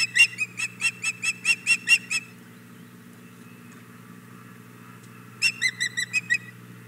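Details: Begging female osprey at the Hog Island Boathouse nest, May 2017 morning, wanting the male's fish: a rapid burst of about ten piercing whistled chirps, a few seconds' pause, then another run of seven, over low hum.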